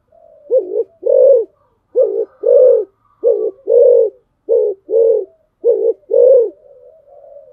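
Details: Decoy spotted dove calling steadily: five pairs of low, throaty coos, each a brief note then a longer, fuller one, repeated about once a second with short gaps between pairs.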